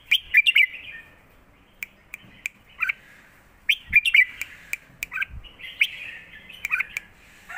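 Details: Red-whiskered bulbuls kept in cages duel in song, southern master style, phrase answering phrase: short, lively whistled phrases of a few quick notes each, repeated every second or two, with sharp clicks between.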